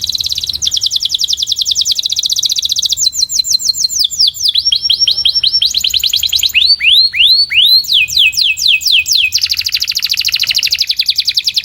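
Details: Canary 'puxada' training song for sharpening the song: a chain of fast repeated tours, first tight high trills, then looping down-swept whistles and sliding notes, ending on a dense buzzy roll.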